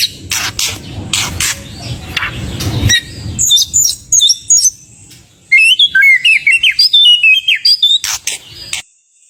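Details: White-rumped shama as a lure for household birds: after a noisy start, thin very high notes, then a rapid string of crisp whistled notes that step up and down.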